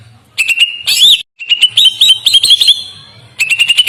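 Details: Greater green leafbird giving a soft, melodious, long song used as a tutor recording. Sweet whistled phrases hold near one steady pitch, broken by bursts of quick chirpy notes, with a short silent gap early on.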